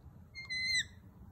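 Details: A lorikeet at a kitchen window gives one shrill, piercing note about half a second long, holding steady then dropping slightly at the end, over a faint low hum.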